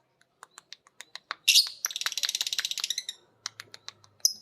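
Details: Two pet lovebirds, a biola green and a PB Piet, learn the ngekek from each other while a master recording plays. Sharp clicks and short chirps give way to a fast, buzzy chattering trill lasting about a second, then more scattered high ticks.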